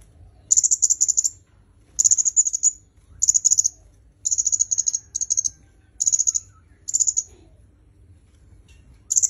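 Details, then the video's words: Red-headed myzomela recording meant for song training: very high, thin bursts of rapid chattering notes, each under a second, repeated about every second with brief quiet gaps. "Suara Kemade Kepala Merah"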